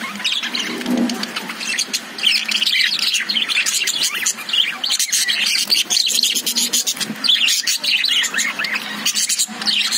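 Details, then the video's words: Cage of lovebirds in steady chatter: rapid high chirps, twittering notes and occasional harsh squawks layered without pause for ten seconds. "Love birds sound"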